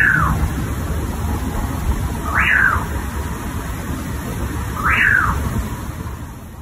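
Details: Copetón (crested bird) song recorded in Guatemala: a short, clear note that leaps up then slurs down, repeated about every two and a half seconds over a steady low rumble and hiss.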